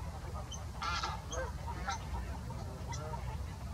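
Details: Greater white-fronted geese calling at Salford Priors gravel pits, 9 January 2021. Several birds give squeaky, bright yelps in quick, uneven succession, with a louder burst near the first second, over a heavy low-pitched background rumble.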